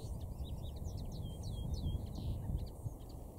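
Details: Common linnet singing on Cavenham Heath, Suffolk, UK, on 4 April 2016 at 6:30 pm; a rapid twittering run of short trilled and slurred high notes over a steady low rumble.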